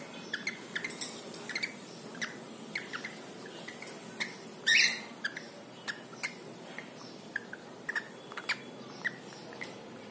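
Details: Male pet cockatiel bathing in water, natural sound only: a steady run of brief high chirps and ticks, with one sudden loud grating squawk near the middle, amid light splashing-like background.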